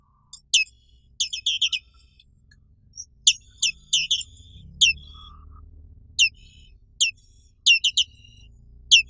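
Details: Black-capped white-eye, found only in Indonesia, calling with high, slurred chirps, scattered singles and tight groups of three or four across the stretch, with a brief faint mid-pitched tone and soft low background noise.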